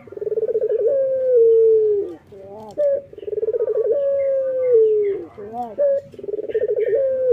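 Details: Local male puter dove singing energetically on a morning. Phrases repeat about every three seconds. Each phrase is a throaty rolled trill, then a drawn-out steady coo that drops slightly, then a brief wavering note.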